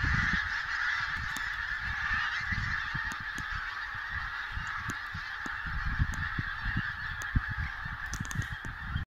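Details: Flock of geese bursting into sudden flight in northern Scotland, many overlapping honks merging into an unbroken, even chorus throughout, over low rumbling and scattered thuds, with a few sharp clicks.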